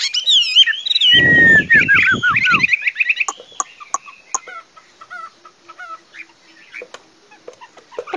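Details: Chinese hwamei singing a rich run of loud, slurred whistles that swoop up and down for about three seconds. A low, rough, harmonic sound overlaps the song, and then come scattered clicks and quieter, fainter notes.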